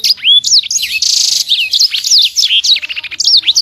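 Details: Small imported sanger singing a lively, dense song of sharp whistled slurs and rapid rising and falling notes, with a brief buzzy trill near the middle and quick stuttered notes toward the end.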